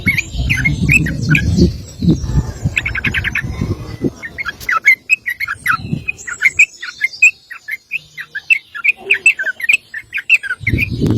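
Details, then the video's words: Sooty-headed bulbul singing a long 'ropel' song, kept as a master recording for training other birds: rapid runs of short, bright chirping notes repeated in quick succession, with low rumbling handling noise at the start and end. "Trucuk Ropel panjang cocok buat masteran burung anda!"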